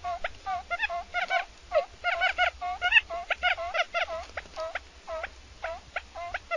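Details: Quail calls come as rapid, squeaky, inflected chirps, roughly two a second and irregularly spaced, some paired or doubled, over a low background hum.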